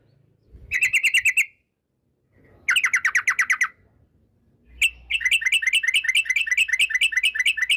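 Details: Sooty-headed bulbul giving long 'ropel' song, intended as a lure to set other bulbuls singing: two short crisp rattles, a pause, then an extended rapid run of repeated bright notes lasting nearly three seconds.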